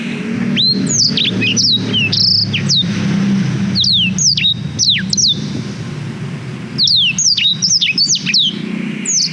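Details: Black-throated canary song for tutoring young canaries, recorded on a GoPro Hero 5: three bursts of rapid high whistled notes, sharply falling and rising slurs, with a steady low rumble underneath.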